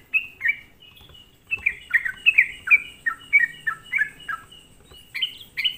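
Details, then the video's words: Sooty-headed bulbul singing as a lure to rile other bulbuls: short bursts of bright, falling chirped notes, a brief pause near the start, then a rapid stuttering series and higher sharp notes at the end. "suara pancingan trucukan gacor"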